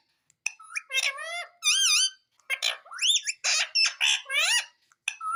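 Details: Indian ringneck parakeet at home chattering "mummy" over and over: a dense run of quick, tonal, wavering syllables with scratchy squawks mixed in, barely pausing for about five seconds.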